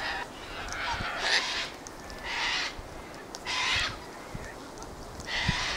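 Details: Sulphur-crested cockatoos squawking where they gather, on a windy day: four long, harsh, rasping screeches, each about half a second, spaced roughly a second apart, with faint wind underneath.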